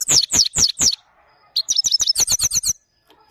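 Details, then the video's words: Maike, a Himalayan goldfinch, in song: four loud descending slurred notes at an even pace, a pause, then a quick run of about ten sharp, bright twitters. "Maike gold finch singing | Maike himalayan beautiful bird sounds"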